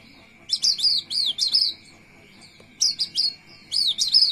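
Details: A Javan white-eye sings its soft rolling song, three bursts of quick high twittering about a second each over a steady high whine; a quieter singer than other white-eyes, it is protected because it is becoming rare.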